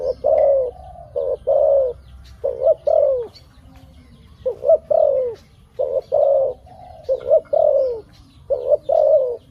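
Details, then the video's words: A dove gives soft, low hooting coos in short bursts, some notes rising then falling, repeated irregularly about every second against a faint background hum. "Good sound dove.Bunyi merpati yang bagus"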